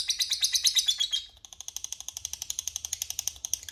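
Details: Long ngekek of a lovebird, played to provoke rivals into answering: a loud rapid chatter that briefly drops after a second, then resumes as a thinner, quick ticking series of notes over a low background hum.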